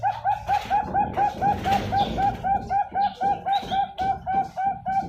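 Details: Bangkok-type zebra dove from a bird farm in Pasuruan, East Java, Indonesia, hatched 10 March 2022, singing in the many-middle-notes, long-ending style. Soft rounded coo notes repeat about four times a second in a steady rolling series over room noise.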